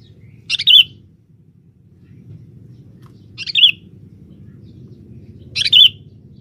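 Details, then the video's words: Male sooty-headed bulbul used as a lure in a forest: three bright, short chirping calls with a quick rising-falling twist, spaced roughly every two and a half seconds over a low, steady background rumble. "pikat burung kutilang jantan buat pancingan di dalam hutan"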